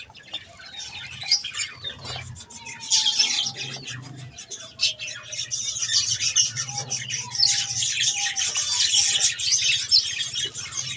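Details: Pet budgerigars feeding on softfood make a steady, busy chatter of rapid chirps and raspy twitters that swells in loudness, with a faint thin whistled tone running underneath.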